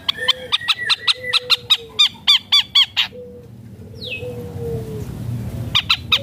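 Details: Long-tailed shrike imitating other birds: a rhythmic series of loud ringing notes with harmonics and a low whistled drawn-out tone underneath, a quiet gap with a short descending note, then the repeated notes resume.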